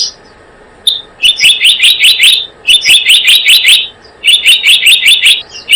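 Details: Blue-eared kingfisher lure call: three bursts of sharp, high, shrill notes, each run of about six quick piercing chips, separated by short silent gaps.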